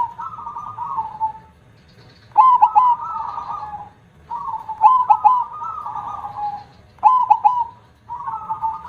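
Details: Zebra dove (perkutut) in full song, big-voiced KONG style: husky cooing phrases with sharp accented notes, repeated about every two seconds with short pauses between.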